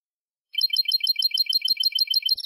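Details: European goldfinch song from a Málaga-style recording for educating young goldfinches: after half a second of silence, a rapid, regular string of bright, tinkling high notes repeated about six times per second.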